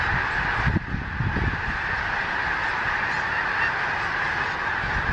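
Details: Huge wintering flock of snow geese, scared into flight all at once, circling Gordon's Pond in Cape Henlopen State Park, Delaware, late December on a gray overcast day after rain; dense continuous massed honking forms a steady roar with low rumbling.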